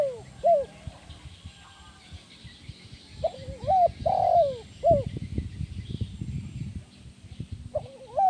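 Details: Spotted dove coo phrases, a sound used to lure and train other doves: short arched notes and a long falling coo repeated several times, with low rumbling and rustling background noise in the middle.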